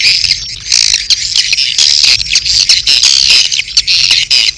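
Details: Mating calls of edible-nest swiftlets with chick calls: loud, high, buzzy twittering in overlapping bursts, thin whistled notes running through, and a faint low hum beneath.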